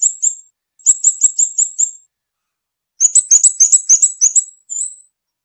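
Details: Scarlet-backed flowerpecker singing in bursts of thin, very high, sharp chip notes, about five quick notes per burst, then a denser jumbled twittering series and a final drawn-out high note.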